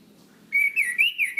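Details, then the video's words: Chestnut-capped thrush, a cage bird recorded for training other songbirds in the ringing ngeplong style, gives one clear whistled phrase that wavers up and down in smooth loops after a quiet start. "Masteran Anis Kembang | Punglor Gacor Ngeplong Mantap"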